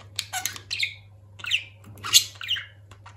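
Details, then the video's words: Talking budgerigar kept as a pet, uttering four or five separate scratchy, squawking phrases with sharp upper squeaks and pauses between them; a faint low hum runs throughout. "Konuşan muhabbet kuşu"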